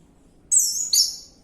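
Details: Orange-headed thrush lure recording meant to prompt a bird to sing: two brief, high, bright whistled notes, the second starting lower and sliding upward.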